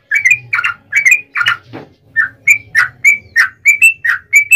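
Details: Bulbul lure recording, yellow-vented bulbul in extended 'ropel' style: gurgling two-note phrases, a short break with a softer note, then evenly spaced clear rising whistles.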